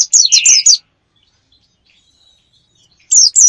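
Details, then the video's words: Lure sound meant to draw in wild birds: a quick burst of high, sharp chirped notes, a long silent pause, then another brief chirping burst. "Pikat ampuh,untuk pancingan burung liar"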